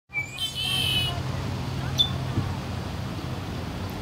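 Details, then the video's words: Red-winged blackbird: a brief high note, then a harsh, buzzy trill lasting about half a second. A single sharp chip follows near the two-second mark, over steady low traffic rumble throughout. "Red-Winged Blackbird"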